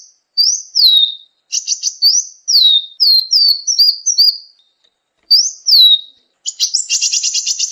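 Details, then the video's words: Sunbird (kolibri ninja) singing for a songbird-training masteran: high slurred whistles in short series and a brief buzzy rattle, separated by pauses. The phrase ends in a fast, harsh high trill. "masteran burung gacoan, Kolibri"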